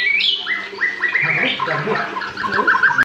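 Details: Young white-rumped shama learning its song delivers a string of short rising whistled notes repeated about every quarter second, then softer lower warbled notes, with a light background hum.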